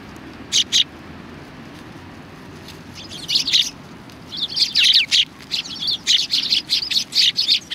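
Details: A flock of sparrows gathering to be fed at Tenmangu shrine, 25 November 2020. Two lone chirps, a quiet gap, then rising bursts of rapid, overlapping high chirping.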